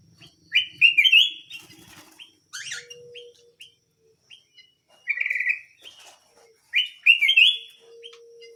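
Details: Canary singing in bursts of bright trilled and warbled phrases with short chirps between, pauses of silence, and a faint steady low hum now and then.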